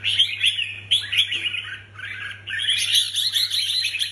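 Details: Red-whiskered bulbuls kept as contest birds sing fast, jumbled phrases of sharp whistled chirps, pausing briefly mid-way before resuming loudly, with a steady low hum underneath.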